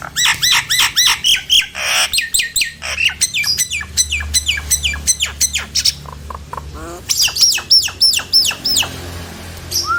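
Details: Nias hill myna used to provoke other mynas into singing; rapid series of arched whistled notes repeated several times a second, broken by harsh noisy squawks and a short rasping rattle, then another run of ringing whistles.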